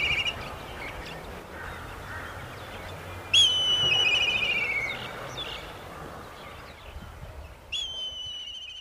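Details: Black kite in Kashmir giving a loud, high whinnying whistle that breaks into a quavering, descending trill, with a second call starting near the end over a faint background hum; Black kite.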